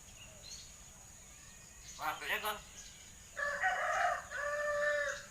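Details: Common hill myna imitating human speech: a quick trio of clipped harmonic syllables, then two longer, nasal, voice-like phrases with strong stacked tones, against a low background hiss.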